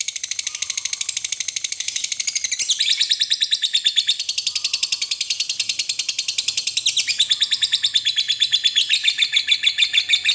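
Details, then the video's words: Lovebird giving a long 'ngekek' chattering song, used as a lure to get other lovebirds singing keenly: an unbroken run of rapid, harsh, high chattering pulses, about seven a second, with sudden pitch shifts near three and seven seconds. "suara burung lovebird ngekek panjang ini mampu menjadikan lovebird anda jadi rajin bunyi dan Gacor"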